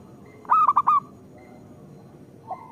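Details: Local zebra dove song used to lure zebra doves: a single quick burst of four loud, clipped cooing notes followed by near silence and a faint low coo.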